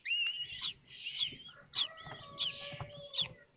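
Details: Common kestrel nestlings at Théding, France, 19 May 2024, as a fifth chick breaks its shell during feeding; high trilled calls in bursts about every half second, with a lower steady whining tone midway.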